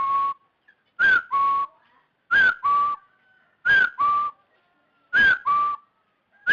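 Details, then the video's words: Rufous-throated partridge whistling, played as bait for trapping. Two-part phrases recur about every 1.4 seconds: a bright slurred whistle, then a level lower note, against a clean, silent background. "Tiếng gà sò họng hung bẫy mồi"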